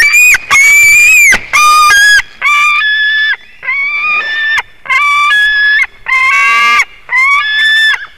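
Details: An eaglet of the white-tailed eagle calling from the nest at Durbe on 13 August, its fourth day there, caught by a live nest camera: a string of about eight loud, harmonic whining notes of uneven length, some rising and some falling.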